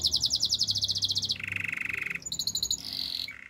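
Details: Training song of a Spanish Timbrado canary: a fast bright pulsed trill of clear repeated notes, followed by a lower rattling roll, a short high trill, and a descending low run.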